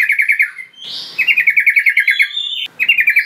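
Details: Trucukan, the sooty-headed bulbul, in a lure call for catching wild birds: quick pulsing chatter broken by a short upward whine, then a longer steady run of rapid chirps.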